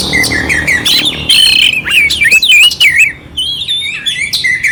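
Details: Oriental magpie-robin (kacer) clear song with rough fill, played to stir up a cold bird; rasping squawky notes woven among wavering whistles, a short pause, then resumed whistled phrases.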